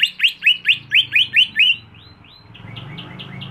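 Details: Caged greater green leafbird, kept at home and groomed for bird-song contests: eight loud, evenly spaced ringing chirps, then softer quick downslurred notes trailing off over a low background rumble.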